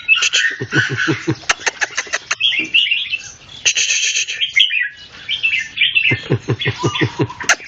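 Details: Red-whiskered bulbul in a singing contest with another bird: quick warbling phrases and chirps alternate with runs of sharp clicking pulses, in a busy, overlapping exchange.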